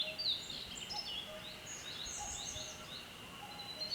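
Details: Male Daurian redstart, a breeding bird, singing in Shinshu, Japan: short high chirping and twittering phrases with thin rising whistles, fairly faint over steady background hiss.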